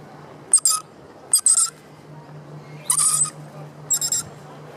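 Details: Rainbow lorikeet at the Royal Botanic Gardens in Sydney, Australia, with the Opera House nearby, giving four harsh, high, buzzy screeches in short bursts, some doubled, spaced about a second apart over a low steady hum.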